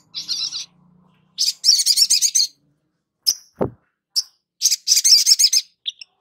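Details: Long-billed spiderhunter song used to coax a young bird into active singing. Rapid trilled bursts of high, metallic notes, each run about a second long, alternate with single sharp chips. A brief low thump sounds midway.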